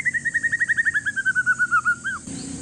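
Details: White-rumped shama, an Aceh forest-line male one year old, kept to coax lazy shamas into singing, gives a rapid even string of short whistled notes that drifts gently lower, ending on a looping upslurred note.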